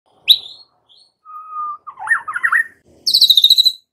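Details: White-rumped shama song used as a lure to get young wild-caught birds singing. Whistled notes, a steady level whistle, then a wavering warbled phrase and a fast buzzy trill of rapid repeated notes.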